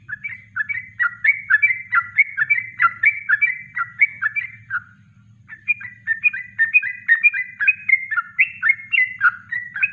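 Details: Yellow-vented bulbul delivering a natural kongslet song for use in training birds: two long runs of rapid, liquid whistled notes separated by a brief silence, with a faint low hum beneath.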